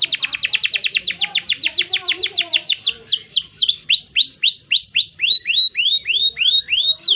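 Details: Canary singing a long roll for master training: a rapid series of clipped downslurred notes gradually slowing into distinct, evenly spaced swooping whistles, clear and close.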